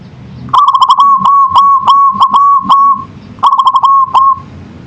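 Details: A local zebra dove sings manggung in a long, busy run of clipped cooing notes, many quick beats over two and a half seconds, then a shorter stuttered phrase ending in a drawn-out tone.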